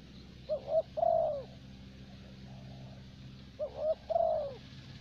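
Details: Spotted dove of the thổ bầu type, kept as a decoy bird in Vietnam, giving two short phrases of low, mellow cooing, each with a few quick notes ending in a longer drawn coo, with a steady low hum behind.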